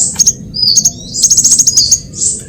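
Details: Brief sunbird lure sequence for trapping: a thin rising whistle followed by a quick run of sharp, high twittering notes and a final buzzy chirp, with low hum underneath.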